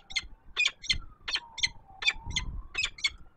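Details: Female peregrine falcon at her nest on Warsaw's Palace of Culture and Science, Poland, at dawn on 19 September 2024, calling before flying off. Rapid harsh, scratchy kek notes, a few per second. A low rumble and a wavering hum run underneath.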